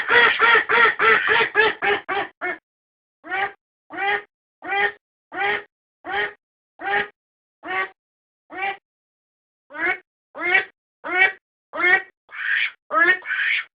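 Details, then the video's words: Domestic duck recorded for use as a decoy: a fast run of harsh nasal quacks, then a steadier series of single quacks spaced about half a second apart, a few softer breathy calls near the end. "アヒルの鳴き声 おとり用"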